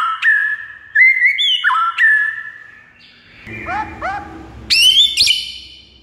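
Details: White-rumped shama song meant to rouse a silent bird into singing: clear whistled notes stepping between pitches, then a pause, several short rising slurs and high sharp whistles at the end.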